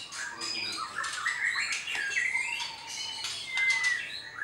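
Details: A captive, farm-bred pied-variant white-rumped shama sings a rich, varied run of whistles, rising slurs and harsh squawky notes, continuous for several seconds, meant to stir up rival males.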